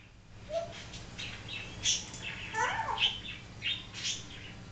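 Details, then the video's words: Pet African grey parrot indoors, talking and imitating barking and other noises: a quiet run of short squawky and chattering notes, with a low-pitched whistle early on and scattered clicks over a steady low hum. "African Grey talking and making sounds"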